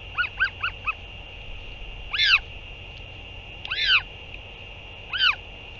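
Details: Northern royal albatross on 8 June 2023, returning and feeding: four quick harsh notes, then three loud braying, honk-like calls about one and a half seconds apart, over a steady wind-like hiss.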